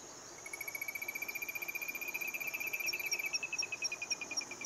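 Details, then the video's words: Singing Olive-crowned crescentchest, Melanopareia maximiliani argentina, locally called Gallito de collar, gives a sustained fast string of bright repeated notes that rise gently in pitch, with a steady high whine and faint ticking in the background. "GALLITO DE COLLAR / OLIVE-CROWNED CRESCENTCHEST SINGING"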